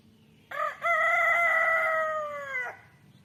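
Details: Rooster crowing: one loud, harmonically rich crow lasting about two seconds after a brief opening note, held steady then dropping at the end, over faint background noise.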